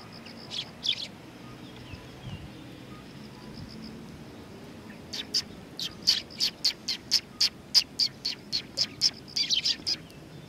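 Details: Several Eurasian tree sparrows coming to be fed at a Tenman-gu shrine on 20 September 2020. A few short, sharp chirps come early, then a quick run of about a dozen evenly spaced chirps from the middle onward.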